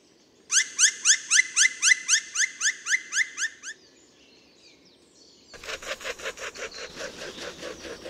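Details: Black Woodpecker in a spring forest in the Barycz Valley, Poland, gives a loud, ringing series of about a dozen rising 'kwee' notes, roughly four per second, followed by a harsher, noisier run of similar notes.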